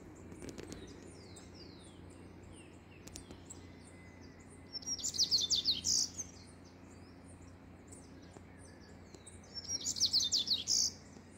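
A Rusty-collared seedeater gives two bright, rapid, high twittering phrases about five seconds apart, with faint chirps from other birds in the background.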